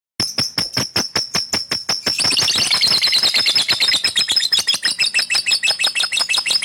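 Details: Male fighter lovebird, kept in a cage, in a long, energetic song: a train of fast, dry, rapid chattering notes, starting as sharp separate ticks, then merging into a dense, high, trilling run with no pauses.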